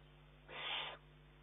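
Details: Single loud, breathy rasping hiss of half a second from a young Eurasian eagle-owl demanding food from its mother, June 2011; the fledgling snatches prey from her beak and urges her to hunt more.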